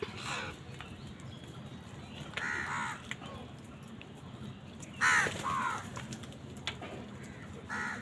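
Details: Crows fighting with wild birds for food, giving scattered harsh caws at intervals of about two to three seconds, some louder than others, over a low rumbling background.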